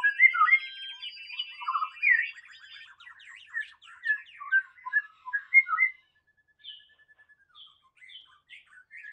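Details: Wild white-rumped shama giving clear whistled and chattering phrases for about six seconds, then only a few faint distant notes.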